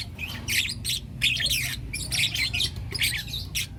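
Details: Lutino lovebirds, four young birds, chirping in the morning; harsh, squeaky chirps and squawks in short irregular bursts, with a low steady hum underneath.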